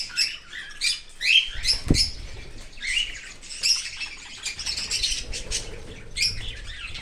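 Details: Baby cockatiel fed by a parent in an open aviary, heard outside the nest: rapid scratchy chirps and squawks run in a dense string, with one sharp knock.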